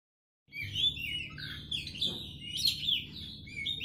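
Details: Oriental magpie-robin singing a lively stream of varied whistles and chirps, bright phrases rising and falling, with sharp high notes near the middle and steady low background hum.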